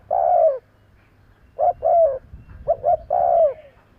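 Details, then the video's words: Spotted dove luring call: a long falling croo, then a double coo with a drawn-out croo, and another double coo ending in a long descending note, delivered close together. "Tiếng chim cu gáy kèm kích bổi nhanh nổi - Suara yang menarik suara Tekukur Enak Didengar Buat Pikat"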